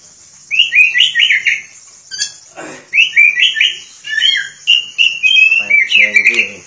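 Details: Oriental magpie-robin singing vigorously with its tail spread wide: rapid rising whistled trills repeated in bursts, interspersed with scratchy chatter and a harsh buzzy note, continuous bright high-pitched phrases throughout.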